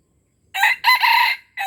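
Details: Aceh junglefowl crowing as a lure for wild junglefowl: a loud, hoarse crow with a short first syllable and a longer drawn second, then the start of another crow cut off at the end.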